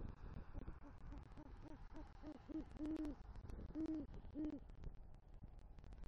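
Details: Male great horned owl entering the nest with rodent prey and hooting for the female, Southwest Florida, night of 3 November 2023: a chain of short low hoots rising into three longer, louder hoots.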